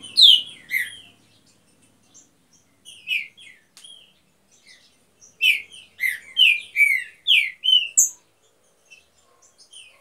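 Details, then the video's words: Green-winged saltators, a breeding pair kept in an aviary: a loud opening phrase, scattered soft notes, then a strong run of rich whistled notes before tapering off. "TRINCA DANDO SHOW NO VIVEIRO"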